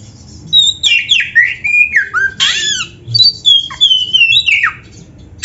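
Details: Oriental magpie-robin singing, recorded as training material to get kept birds singing. Sweeping down-slurred whistles and a loud harsh burst, followed by a long wavering whistled line broken into quick notes.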